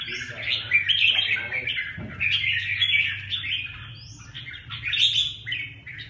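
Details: Red-whiskered bulbul of the Huế type, known as 'lân cánh bướm': a busy, warbled chatter of mid-high notes rising and falling, broken by short pauses, over a low steady hum.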